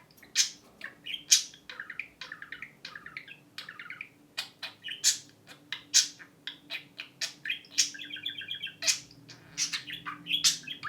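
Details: Pet budgerigar imitating a phone ring noise, bright chirps and squeaky clicks mixed with short bursts of fast, evenly repeated ring-like pulses, over a faint low indoor hum.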